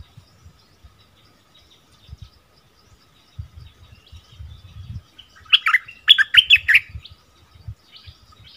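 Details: Bulbul in a 'double' song style, recorded around 24 February 2021: after low thumping and rustling noises, one short, loud burst of quick, bright warbled notes arrives near the end, followed by more soft thuds.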